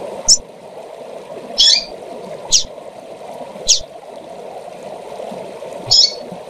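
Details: A female double-collared seedeater calls to stir up males, giving five brief, sharp, high-pitched chips spaced unevenly across the recording over a constant low rushing background.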